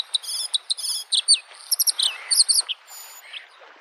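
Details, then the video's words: Varied Bluethroat song by a spring lake: rapid buzzy trills, slurred whistles and ringing high notes tumbling together in quick succession, then quieter, with the murmur of waves in the background. "the singing of the bird Varakushki"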